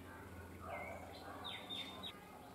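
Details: Bronzed drongo singing while perched on a wire: a brief whistled note, then a long, level, high-pitched whistle framed by quick slurred notes, over a faint low steady hum.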